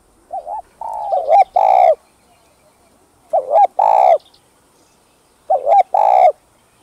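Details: Spotted dove song in calling, urging and 'gù' styles meant to excite caged doves. Three low hollow phrases about two seconds apart, each a quick wavering double note then a loud, sustained, slightly falling coo.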